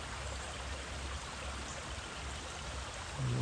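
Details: Flowing stream water rushes steadily along a trail in Cuyahoga Valley National Park, Ohio, a constant broadband trickle with no animal calls, growing slightly louder at the very end.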